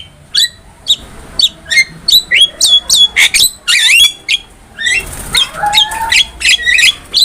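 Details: Training-master song of a black-winged myna for cage birds: steady series of sharp squawky whistled notes, then a dense noisy stretch of overlapping harsh calls and rattles in the second half.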